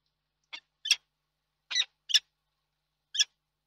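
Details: Peregrine falcon at the Reda nest in Poland, 31 March 2022: five harsh, rasping calls in irregular pairs and singles over about three seconds, with nothing else audible.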